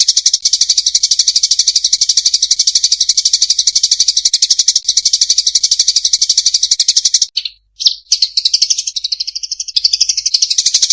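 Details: Fighting Eurasian tree sparrow giving a long, unbroken, rapid buzzy rattle of high pulses for about seven seconds, followed by a brief gap and a few wavering, slurred chirps.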